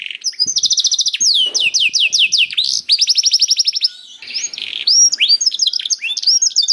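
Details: Canary song in a special cengkok style, used as a prompt for other canaries to sing: fast rattling trills alternating with downslurred whistles, a short softer gap, then varied twittering phrases.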